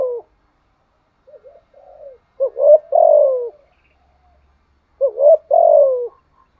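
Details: Spotted dove kept as a decoy, cooing in the 'thúc gù' style, 'giọng thổ' voice. Faint soft notes lead into rolling, falling coo phrases repeated about every two and a half seconds.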